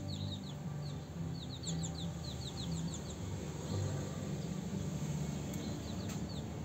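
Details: House sparrows during mating time chirp in quick, bright, repeated bursts, dense at first and then scattered, over a steady low rumble of background hum.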